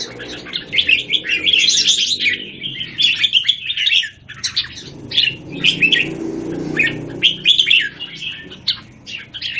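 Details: Singapore, caged Red-whiskered bulbuls, one bird taking on several others, 17 January 2019. Short clipped whistled phrases and chirps in separate bursts over a soft low background hum.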